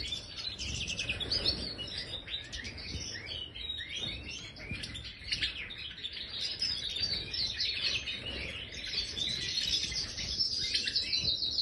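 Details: Aviary Major goldfinch giving a rambling, energetic song of tumbling chirps, nasal twitters and fast trills, repeated in uneven bursts throughout.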